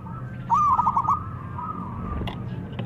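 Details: Local zebra dove calling to a rival; one short bright stuttered cooing phrase of quick pulses, followed by a fainter steady coo trailing off over low background hum.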